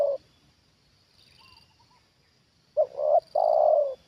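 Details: Trained decoy spotted dove calling as a wild bird comes down again. A phrase ends at the start, then faint high twitters. Near the end comes a low double coo followed by one long, rolling coo.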